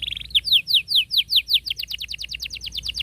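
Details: Canary in full song, used to tutor young birds: a brief high buzzy note, then a rapid rolled series of rising chirps, about two and a half per second, quickening and softening toward the end.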